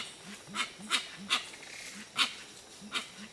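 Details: Several Gray-winged Trumpeters in Amazonian Ecuador at Tiputini Biodiversity Station give soft, deep, rounded hoots in a quick loose series, about two or three per second, mixed with brief, harsh, clicking bursts.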